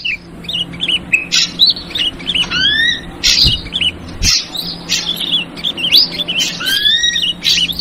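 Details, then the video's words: Ashy drongo lure call in a clearer stretch: spaced sharp chirps and pairs of upslurred whistles, repeated at about one-second intervals, with brief buzzy notes. "Suara Pikat Burung Srigunting versi Trucukan Ribut"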